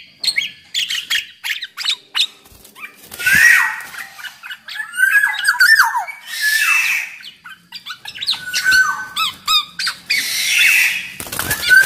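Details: Active black-naped oriole (kepodang) song played as a lure for other orioles; busy mix of short sliding whistles, clipped notes and harsh rasping phrases, with a clear whistled slur near the end.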